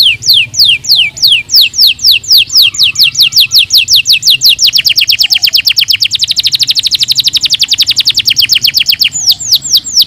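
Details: Canary singing a fast song meant to stimulate lazy non-singing birds: repeated high descending sweeps that speed into a dense rapid trill, then slow again to sweeping notes near the end, with a low background hum.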